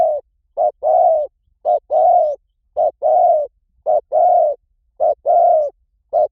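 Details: Spotted dove calling as a lure for wild doves. A steady run of low, mellow coos alternates a short clipped note with a longer, slightly falling coo, repeating about once a second in a clean, quiet recording.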